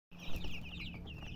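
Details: Colored chickens chirping: a dense run of high, thin, rapid peeps overlapping one another, over a steady low hum.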